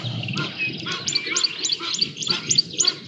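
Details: A juvenile black sparrowhawk looking for lunch at Djuma Private Game Reserve on 5 January 2024 gives high, thin, squealing notes about twice a second over a low background rumble.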